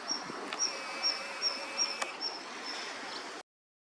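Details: Male Daurian redstarts, two first seen on a riverbank along a walking path on 1 November 2022, newly arrived for autumn. Thin, high ticking notes repeat about every half second over steady background hiss, with one sharp click.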